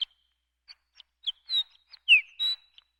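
Horned Lark song: a quick run of high, tinkling chips and thin slurred whistles, several sweeping down, all crowded into about three seconds.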